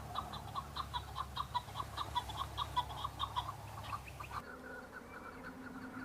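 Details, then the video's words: Male chukar partridges in breeding season on Bamo mountain, Kurdistan, fighting and displaying to females: rapid series of clucking chuk notes repeated about every quarter second for four seconds, then fading into background hum. "شەڕە کەو - دەنگی کەو - معرکة بين الطيور حجل- کبک - صوت حجل - Chukar partridge fighting -Chukar call"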